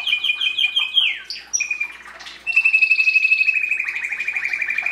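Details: A canary delivers quick repeated chirps, a downward slide, a brief high note, then a long, loud rolling trill of evenly pulsed notes that holds steady.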